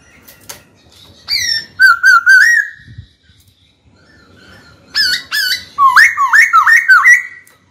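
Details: White-cheeked laughingthrush kept as a cage bird, singing to challenge a rival: bursts of rich whistled notes, a run of four dipping whistles, a pause, then a fast series of about eight sharp upslurred whistles.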